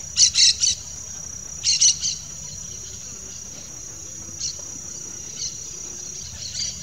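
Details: Two Yellow-chevroned Parakeets, Brotogeris chiriri, utter shrill scratchy triple bursts twice in the first two seconds, followed by scattered quieter single notes, while insects drone steadily at high pitch.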